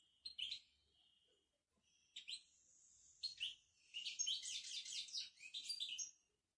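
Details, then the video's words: Moroccan goldfinch bitbita: a few separate twittering notes with a thin drawn-out high tone, building into a long, rapid run of bright tinkling trills. "بتبتة الحسون المغربي"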